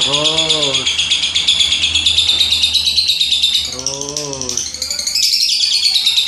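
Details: Nonstop high, scratchy chatter from a lovebird, quick pulsed notes rising and falling slightly in pitch, with a person speaking briefly twice in the background.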